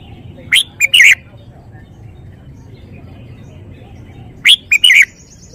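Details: Caged red-whiskered bulbul showing off its song phrasing: two brief bursts of bright, sharp chirping notes about four seconds apart, over a steady low background hum.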